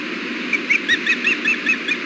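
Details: Wild ospreys on the Hellgate nest at a 4 pm fish delivery, male sharing fish with the female; rapid series of about ten bright, slightly slurred high chirps in quick succession over steady background hiss.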